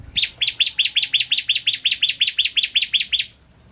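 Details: Ciblek kristal, the bar-winged prinia, in full song for a master recording: one long unbroken run of bright, evenly spaced high chirps, roughly five per second, for over three seconds, then quiet.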